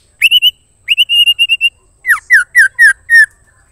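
A female white-rumped shama gives two quick bursts of short, clear whistled notes, then five louder downslurred whistles about a quarter second apart, calling to a male.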